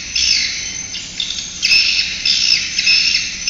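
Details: Swiftlets twitter in a dense, high, buzzy chatter of overlapping chirps that swell and fade in bursts about every second. The recording is a swiftlet-house sound-system call.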